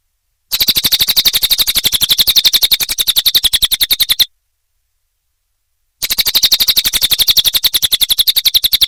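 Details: Nonstop cililin (small minivet) training recording for caged songbirds: long runs of rapid, thin, high notes in a continuous rattle, separated by a clean silent pause of nearly two seconds.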